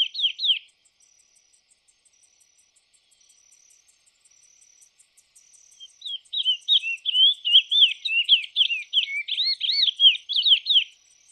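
A lesser seed finch sings a brief phrase, pauses, then delivers a long, rich, rapidly warbled melody. A faint, steady high insect ticking runs underneath.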